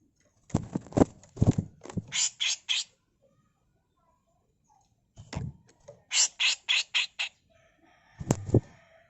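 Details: Female grey-cheeked bulbul used as a master tutor song, giving harsh, rasping bursts in two clusters with a long pause between, mixed with deep thudding knocks and a final loud double thump.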